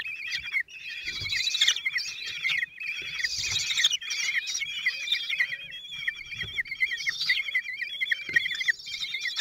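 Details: At a kestrel nest in Théding, France, 26 June 2023, four chicks 16 days old are fed by the male: a steady stream of high, warbling trills with louder swells, plus occasional dull thumps.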